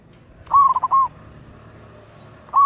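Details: Lure call of a local zebra dove: one loud stuttered coo phrase of short bubbling notes closing on a longer held note, with the start of another phrase at the end, over a low background rumble.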